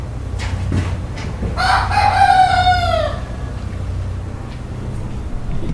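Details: A rooster gives one long morning crow of about a second and a half, harmonic and slightly falling at the end, over a steady low hum.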